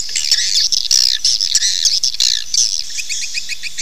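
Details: Swiftlet calls used to attract swiftlets to nest: dense high twittering chirps with rapid rising trills, several overlapping, ending in a fast series of short chirped notes.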